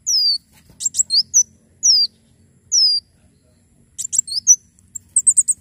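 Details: Javan sunbird in full song for tutoring and coaxing birds to sing: long high whistles sliding downward, spaced about a second apart, between clusters of sharp, very high chirps; faint low hum underneath.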